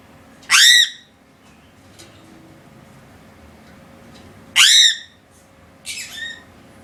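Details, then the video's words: Crow giving harsh, raspy caws with a downward-bending tone. Two loud, drawn-out caws come about four seconds apart, then a shorter, softer caw follows. The background is quiet, with a faint steady hum. "Sound of the Crow"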